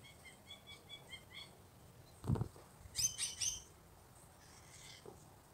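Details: Wild Australian magpie being hand-fed and asked if it wants more: a quick run of bright, repeated chirps, then a dull thump and three loud, harsh, raspy bursts.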